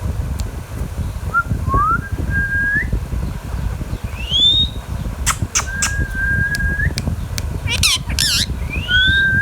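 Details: Baby green Indian ringneck parakeet kept as a pet, giving two sharp, ringing squawk bursts midway, mixed with clear rising and level whistles and a steady low background rumble.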